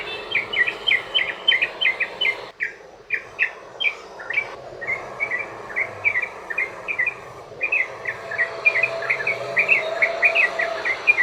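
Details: Extended rapid ropel song of a sooty-headed bulbul, played to make other bulbuls sing back: long runs of quick bubbly notes broken by brief pauses, over constant hiss.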